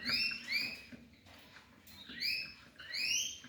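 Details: Young hybrid African yellow canary × canary mule repeating bright, rising, upslurred chirps in pairs, a quiet gap midway, then two more ascending notes, with a soft indoor hum.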